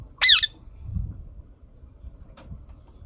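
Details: Green parrot, described as talking and dancing, gives one loud, harsh squawk with bending harmonics right at the start, then falls quiet apart from soft low rumbles and a faint click in an otherwise still setting.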